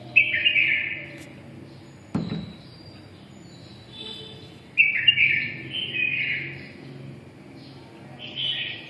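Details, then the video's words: Red-whiskered bulbul ('mí đỏ') in 'siêu ché' song: a lively warbled phrase opens, a knock-like click follows, then a run of fluttering, rolling phrases returns after five seconds and again at the end. "mí đỏ siêu ché"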